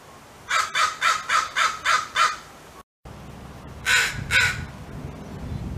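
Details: Harsh, repeated caws from a crow calling nearby crows for help in distress, a territorial alert: six quick, evenly spaced hoarse caws, a brief break, then two louder caws over low background rumble.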